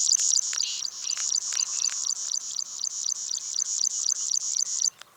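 Plain Prinia giving a fast, dry, buzzy series of high notes, about four per second, running steadily for five seconds over soft background music.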